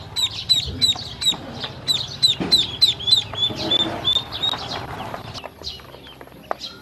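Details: Hungry baby ducks receiving feed and water give a run of regular high peeps, roughly three per second, that thin out into softer scattered calls and background rustling.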